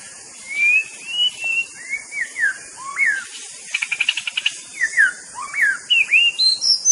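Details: A white-rumped shama (murai batu) sings a varied run of sweet, slurred whistles that rise and fall. Midway comes a brief buzzy rattle, then more looping whistles climbing higher toward the end.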